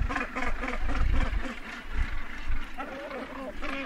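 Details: Northern gannets at a colony edge with birds landing and taking off: short harsh rasping calls at the start and again near the end, over heavy low rumbling that may be wind or wingbeats.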